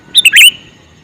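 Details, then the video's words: Male sooty-headed bulbul calling: one loud, bubbly three-note phrase of short chirping notes, the last note longer and slurred, over a quiet background. "Suara Burung Kutilang Jantan MeManggil"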